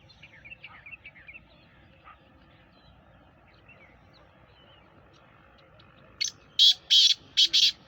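Black francolin giving a burst of four or five loud, harsh, grating notes in quick succession near the end, after faint high chirps from small birds.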